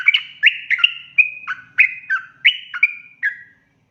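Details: Sooty-headed bulbul 'ropel' song used as a lure: a handful of loud, ringing whistled notes, some doubled, ending in a falling slur, over a faint low murmur.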